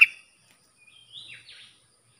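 A bulbul gives a brief, faint warbled phrase of bright sliding notes after a sharp click, with a steady faint high hiss behind.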